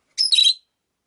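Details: Rosy-faced lovebird among five caged birds kept by a window: a single harsh, scratchy chirp lasting under half a second, with quiet around it.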